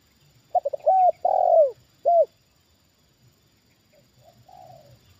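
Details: Close, loud coo phrase from a trained spotted dove reacting to a wild bird brought down a second time: quick stuttered notes, a long swelling coo and a final short coo, followed by a fainter distant reply.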